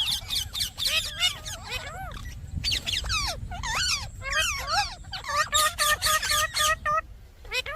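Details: Indian parrot, a pet bird, pouring out rapid, rasping screeches and bent, looping calls, loud and continuous, with a faint low thud and background rumble.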